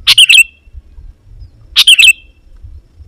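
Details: Sooty-headed bulbul lure song for drawing wild birds of its kind. Two lively chirping phrases about a second and a half apart, each closing in a downward slurred whistle, with soft low rumble behind.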